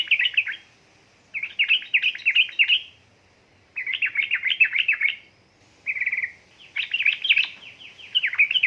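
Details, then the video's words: Yellow-vented bulbul, a female calling the male, used to stimulate lazy birds to sing: bursts of rapid, bubbling, chattering notes lasting one to two seconds, separated by short pauses, one with a brief buzzy trill. "pancingan burung trucuk gacor ropel ngeriwik|| suara untuk trucuka bahan malas malasan bunyi"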